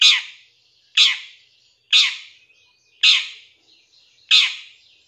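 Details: Cendet, the long-tailed shrike, in a master recording with 'tembakan' fill: five loud rasping notes, each about a second apart, with faint thin whistles between them.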